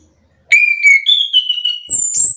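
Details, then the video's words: Orange-headed thrush (anis kembang), provoked into answering another bird: a strong sustained whistle, then a higher held note sliding down, ending in thin very high whistles over brief rustling. "Anis kembang mu langsung terpancing emosi ikut bunyi sahut sahutan"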